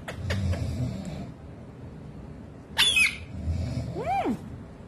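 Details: Pet parrot trying to woo its owner's foot indoors: a bright, harmonic, wavering squawk followed by a rising-then-falling whistled call, with low rumbling room noise and soft thumps.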